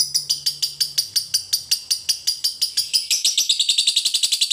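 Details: Lovebird master recording for training birds to chatter long, ngekek style: harsh rasping notes repeated about three per second, speeding up into a faster trill near the end, with a low hum early on.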